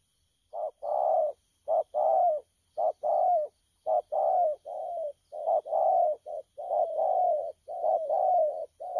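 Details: Caged spotted dove, recorded 12 October 2019, cooing steadily in fast runs of low, throaty, rolling notes. The notes are short and long in a broken rhythm, with brief gaps and no other sounds.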